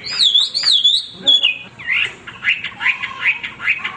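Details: Loud nonstop song from a male hwamei used for song training: a wavering looping whistle, then jerky repeated slurred phrases over a low sustained note.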